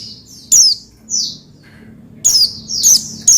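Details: Oriental white-eye chirping to rouse another white-eye into song: a sharp falling note, a softer slurred whistle, a silent stretch, then a quick string of three bright downslurred chirps.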